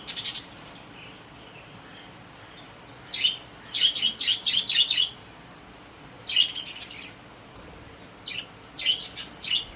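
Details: Happy pet budgerigars in a cage: short bursts of bright, rapid chirping at the start, around three to five seconds, near six and a half, and again toward the end, with quiet gaps between.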